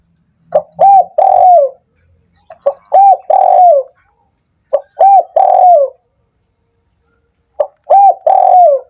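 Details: Spotted dove call played to stimulate lazy doves that are slow to sing; four hoarse cooing phrases, each a short note, an arched coo and a long falling coo, repeated about every two and a half seconds.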